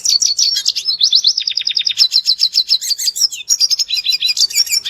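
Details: A red siskin, in a natural recording used as a lure to get other birds singing, sings a fast, unbroken twittering song of high buzzy trills and chattering notes with brief rising whistles; no other sounds intrude.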